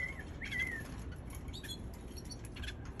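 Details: Young canary giving a short whistled note that rises then slides down, followed by a few faint high chirps, over a steady low background hum.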